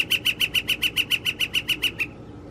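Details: Northern flicker in April 2021 giving its mating call: a quick string of about thirteen loud, clear kek notes at a steady rhythm, ending abruptly, over faint low hum.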